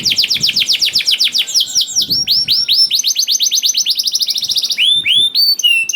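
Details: Canary in lively song, used to prompt other canaries to start singing: a fast burst of repeated downswept notes, slower whistled slurs, then high rising upswept notes at the end.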